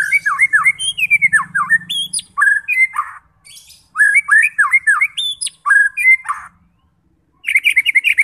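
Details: White-rumped shama song used to provoke fighter birds into singing and showing their learned repertoire: rich, varied whistled phrases with sharp rising and falling notes in bursts, a pause, then a fast trill of repeated notes; faint low hum early on.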